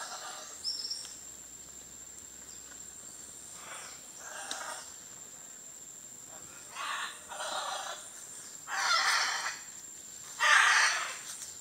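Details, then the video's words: In Costa Rica, a Scarlet Macaw gives about six harsh, raucous, grating squawks that grow louder toward the end, over a steady high insect whine and soft hiss. "Scarlet Macaw"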